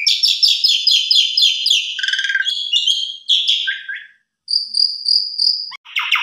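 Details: Rapid rattling chatter from an Asian pied starling, over a dozen quick harsh notes, followed by falling whistles, a pause, then a long steady high whistle and a closing buzzy burst.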